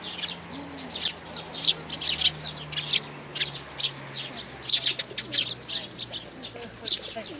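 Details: Sparrows, a family of chicks and parents, recorded 11 May 2019, chirping in scattered clusters of high short notes, with a soft low murmur in the background.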